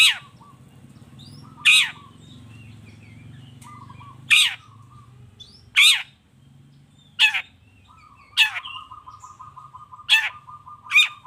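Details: Long-tailed shrike 'toet toet' lure song: loud, harsh rasping bursts spaced about one and a half seconds apart, with a soft low rattle-like trill running between some of them over a steady low background hum.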